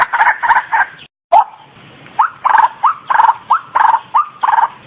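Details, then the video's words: Female white-breasted waterhen giving loud, hoarse, rising croaks, repeated about twice a second after a short pause, each note rough and nasal. "Suara Burung Ruak-Ruak Betina"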